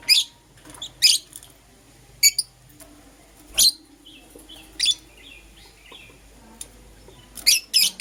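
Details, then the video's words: Euwing Green Opaline and Lutino lovebirds chirping in the morning: loud, rasping, high squawky chirps repeated roughly every second, with softer thin twitters in between and a quick double burst at the end. "Lovebird Chirping Sounds - Euwing Green Opaline & Lutino"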